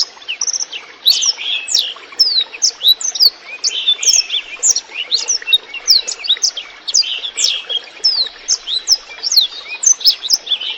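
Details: A black-throated canary sings a clear, fast, unbroken stream of high, bright chirps and twittering trills over the soft trickle of running water, recorded as a tutor sound for training other birds.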